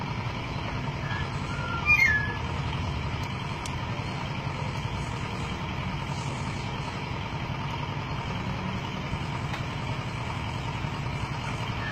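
Steady low vehicle rumble with a brief chirp-like beep near two seconds and faint voices; no clear animal call.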